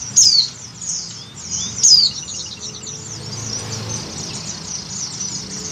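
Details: Oriental white-eye female in breeding condition calling the male; two high, thin downward-sliding whistles near the start, then faint twittering.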